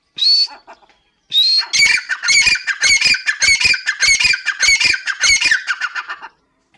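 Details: Grey francolin, female Dakhni teetar: two rising whistles, then a fast, loud run of harsh, squawking, ringing notes, about ten of them, repeated rapidly over four seconds before stopping.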